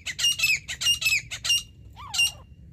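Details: Harsh, ringing grey francolin calls recorded during a teetar hunt: rapid, grating notes with falling tails for about one and a half seconds, then a pause, a softer sliding whistle and a single last squawk.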